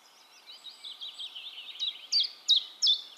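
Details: Common chiffchaff singing in Heemskerk, the Netherlands, recorded with a RØDE VideoMic. Soft, jumbled high notes build up and end in three loud, sharp, downward-stepping chiff-chaff notes.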